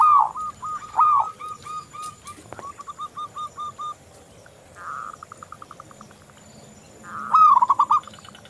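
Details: Local zebra dove, a frequent singer, in a recording meant as a lure to get other zebra doves singing: loud rolling coos alternate with runs of short clipped notes, then a softer rapid trill and another rolling phrase.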